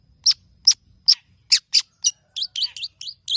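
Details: Long-tailed shrike, a tame caged songbird in full song used to prompt other birds: sharp high chips spaced about every third of a second, turning into quick looping warbled whistles.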